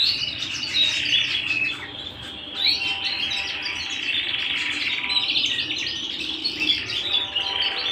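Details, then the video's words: Domestic canary singing indoors, a rolling stream of high trills and twittering phrases, with brief swells in loudness near the first and third seconds. "canary bird - canary singing - canary sounds - canary singing at home"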